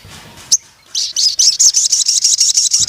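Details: Crimson sunbird in full song: after a sharp high note and a pause, a rapid run of very high, thin, sizzling notes repeated about six times a second.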